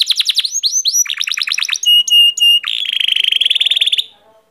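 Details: Canary song of quick descending chirps, a few held bell-like tones, then a long, even, buzzing trill that fades to quiet at the end.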